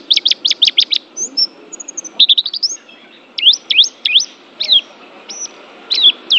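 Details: A champion Banten Oriental white-eye sings high, thin twittering phrases: a quick burst of rapid notes, then sweeping upslurred and downslurred whistles, over a faint low hum.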